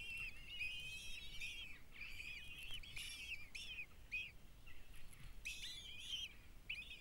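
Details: As the mother kestrel feeds them with food the male delivered, the chicks give harsh, wavering, screeching cries, repeated in quick overlapping runs with short breaks, against a low outdoor rumble.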